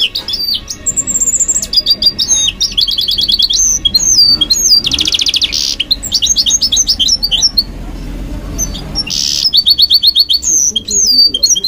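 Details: Caged goldfinch mule singing at night: a fast, varied run of high twittering notes, sliding whistles, dense buzzy trills and rapid rattling phrases, delivered almost without pause.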